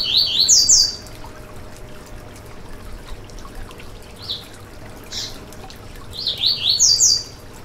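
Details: Yellow-bellied seedeater (coleiro baiano) song used to stimulate a caged bird to sing: a quick, high twittering phrase of sharp rising-falling notes opens the recording and another ends it, with a few isolated chips between over a soft low hum.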